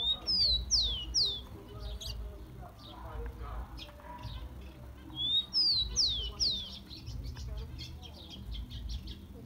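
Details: Rufous-collared sparrow, song for warming up captive birds: two identical phrases about five seconds apart, each a level whistle then three clear descending slurred whistles, with fainter chirps between and a low background hum.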